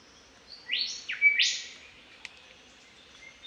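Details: Australian Golden Whistler singing in spring in the bush: a loud phrase of clear rising whistles, building into sharp sweeping notes that climb steeply, followed by a brief click and quiet background.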